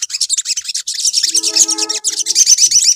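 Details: Bulbul lure song played to provoke other birds: dense, rapid high chirps and buzzy chatter run throughout, with a brief run of clearer, steadier whistled notes midway.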